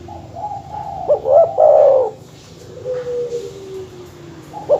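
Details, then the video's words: Dove call used to provoke rival birds: soft lead-in notes, then a loud stuttered coo rolling into a long falling trill, a quiet tone after, and another coo beginning at the end. "suara masteran terkukur/kutut bikin emosi lawan"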